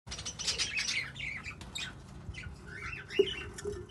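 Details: Budgerigars chattering: rapid, varied warbling chirps and squeaky twitters, busy and overlapping, with a brief sharp click near the end.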